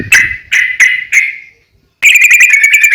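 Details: Sooty-headed bulbul used to coax birds into song: four sharp whistled notes about a third of a second apart, a short silence, then a continuous buzzy, pulsing trill.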